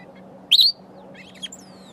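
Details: Berry-foraging sombre greenbul gives a single loud, high, upward-sliding squeak, followed by faint softer notes against a continuous low hum.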